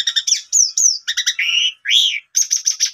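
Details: Song of an Asian pied starling, played to coax a quiet caged bird back into singing; rapid stuttering notes, slurred whistles and rising buzzy phrases run together, clean with no background.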